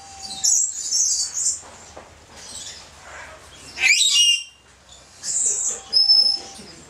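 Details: Kept Josephine's lorikeet, recorded 24 August 2012, giving high, harsh screeches in separate bursts with a descending squawk near the middle. A faint steady tone and low background hum run beneath.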